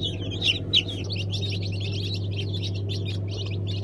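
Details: Newly hatched Brahma chicks at the start of the chick season: a brood peeping together in a dense, continuous chatter of short high chirps, a few louder peeps early on, over a steady low mechanical hum.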